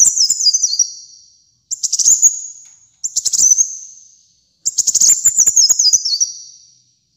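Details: Kolibri muncang sunbird in full song: four bursts of high, sharp, buzzy twittering, each fading into a thin sustained whine, some with a stepped descending run of notes, clean background.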